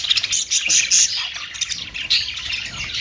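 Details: Budgerigar chirps: sharp, high tweets in short clusters over continuous background twitter from several birds.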